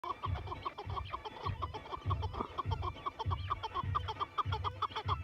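Chukar partridge giving rapid, repeated clucking chuck notes, several per second, over a steady thumping low beat that sounds like music.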